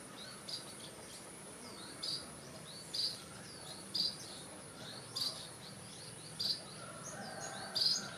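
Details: White-rumped munia calling in a garden in northeastern Thailand: sharp, high chirps spaced roughly once a second, with fainter sliding chirps between them over a steady background hiss.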